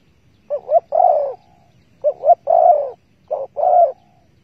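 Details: Spotted dove during trapping with bare bait on 15 August 2020. Three soft phrases with a quick doubled opening note and a prolonged, gently falling coo, spaced about one and a half seconds apart, with no background noise.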